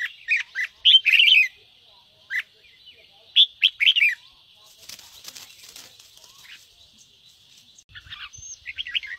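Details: Cage-kept red-whiskered bulbul giving bursts of chirpy warbled song to spur birds into singing, broken midway by a stretch of rustling and fluttering noise, with brief notes returning at the end.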